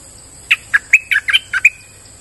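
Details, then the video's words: A brisk lure-song phrase from a streak-eared bulbul in forest: seven quick, bright chirps alternating higher and lower, delivered within about a second, with a faint high-pitched drone behind. "Suara pikat merbah lekir gacor"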